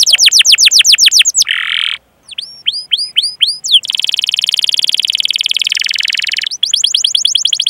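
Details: Canary song used for canary training: fast trill of sweeping notes, a buzzy burst, a silence, a run of curved whistles, then a long dense buzzing trill and renewed sweeping notes.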